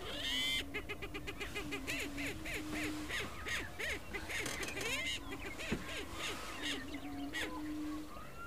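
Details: Greater prairie chickens in Colorado, USA give low, hollow, steady hooting moans, with quick clucking cackles and whoops from several birds all through.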